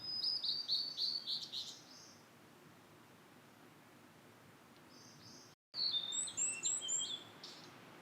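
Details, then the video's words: Blue-and-white flycatcher singing in satoyama countryside: a rapid run of high, clear whistled notes sliding downward, then a pause and a second bright phrase of falling whistles ending in buzzy notes. "里山で幸せの青い鳥 オオルリ（囀りあり）"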